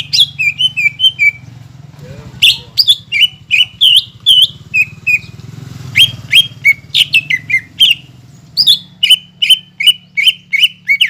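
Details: Greater green leafbird, a caged bird, in full song played as a lure to stir silent or lazy caged birds to sing: rapid bursts of sharp, ringing whistled notes with rich overtones, clustered in fast runs separated by short pauses, over a low steady hum.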